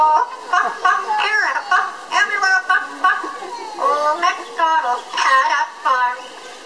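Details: Parrot at the Dallas Zoo singing "Old MacDonald Had a Farm" in a voice-like, wavering series of rising and falling syllables, with short pauses between phrases.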